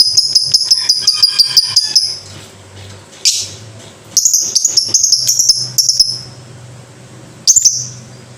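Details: Lovebird, ngekek-style song. It opens with about two seconds of fast, evenly repeated high chirps. After a short gap comes a harsh burst, then another chattering run and a final sharp call. Low hum underneath.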